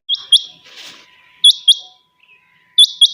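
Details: Chinga batair quail in the morning, giving bright, piercing two-note calls three times in quick succession, with a brief hiss between the first and second pair.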